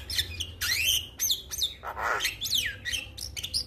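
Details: Male Javan myna calling to other mynas, which answer: a dense run of sharp chirps, rising whistles and downslurred squeaky notes, with brief harsh bursts in between, overlapping and nearly continuous, over a low background hum.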